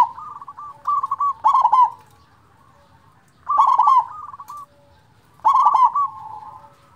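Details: Local zebra dove with a strong voice, used as a lure for reluctant singers: three loud rolling phrases of staccato notes melting into a purring trill, with quieter bubbling coos in the pauses.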